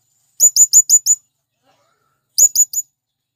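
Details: Piercing high chips from a male blue-crowned hanging parrot calling its companions: a rapid series of five, a short silence, then three more.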